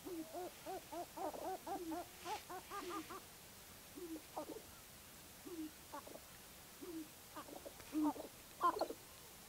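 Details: At Baudette, Minnesota, sharp-tailed grouse give a quick run of paired hooting clucks, then scattered single hoarse notes and a few sharper chirps spaced over several seconds.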